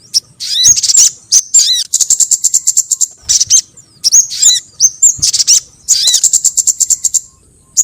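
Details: Sogon bird lure recording for attracting sogon birds: rattling runs of fast, high ticking notes broken by looping slurred whistles, repeated in several bursts with short pauses.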